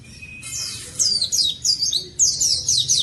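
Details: Oriental white-eye singing loudly, an energetic song used to prompt lazy caged birds to sing: rapid high sliding whistled notes in quick bursts, pausing briefly before the first phrase.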